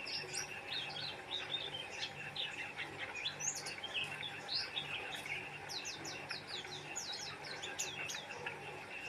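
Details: Oriental white-eye singing vigorously: a long run of rapid, sharp high whistles and quick up-and-down slurred chirps, tumbling without pause, over a faint steady low hum.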